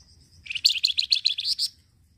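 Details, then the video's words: Flamboyan bird heard in a short chattering lure song: a thin high lead-in note followed by a quick, bright series of about seven sharp high chirps, ending within about one and a half seconds. "FLAMBOYAN YANG RECEH BUNYI..BAGUS UNTUK PIKAT BUNYI AGAR CEPAT RESPON"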